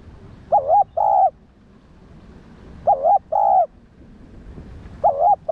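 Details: Repeated coo of a spotted dove (cu đất), meant to provoke and train other doves: paired soft hoots, a wavering note then a longer one, three times at intervals of about two seconds.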